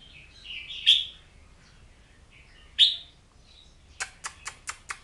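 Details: Oriental magpie-robin giving soft warbles and two sharp, ringing whistled notes, then a string of five rapid sharp clicks near the end.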